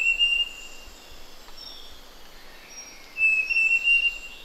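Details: Large niltava at Pha Hom Pok National Park, Doi Lang, Chiang Mai, Thailand: a high, thin whistled phrase of short steady notes, heard twice, with faint buzzy insects and other distant birds in the background.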